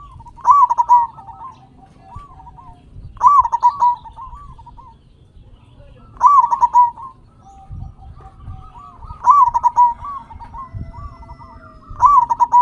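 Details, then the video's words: Local zebra dove with a loud voice, used as a lure to prompt other doves to sing: five strong, rolling, bubbly coo phrases roughly every three seconds, with softer trilled coos between them. "Perkutut Lokal Gacor Suara Besar Pancingan Burung Perkutut Agar Cepat Bunyi"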